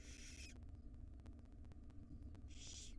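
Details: Barn owl owlets, five wild young in a nest box being fed by the mother at breakfast; two broad hissing screeches, one at the start and one at the end, over a low droning hum.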